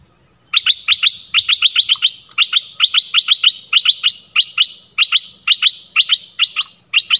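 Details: Stripe-throated bulbul song used for teaching young birds and luring wild birds: loud, clear groups of three or four sharp chirps, repeated about every half second for the whole stretch.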